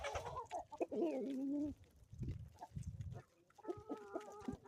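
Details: Morning on a homestead in the Ozarks: a chicken gives a long, harmonic, wavering call lasting over a second. Softer clucks follow, then a flat, stuttering series of tonal notes near the end.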